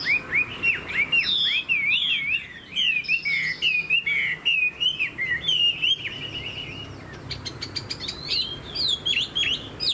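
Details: Chinese hwamei from Vietnamese bird-keeping, a fan-tailed bird of tall posture, singing a fast run of loud, varied whistled phrases that slur up and down, then breaking into sharper clipped notes near the end.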